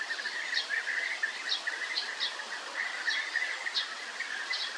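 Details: European bee-eaters trill in a steady run of soft rolling notes, with occasional higher chips from others and constant background hiss.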